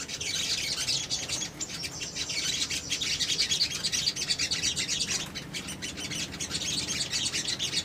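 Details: A male little spiderhunter sings an unbroken, fast high-pitched chatter of dense ticking notes for the full length, used to make other birds answer.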